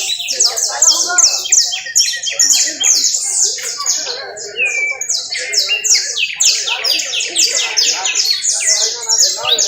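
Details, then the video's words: Trilling canary in Valledupar, delivering long runs of fast, evenly spaced high notes in rolling buzzy phrases with one short whistled slide in the middle and barely a pause throughout. "TRINO DE CANARIO EN EL VALLE"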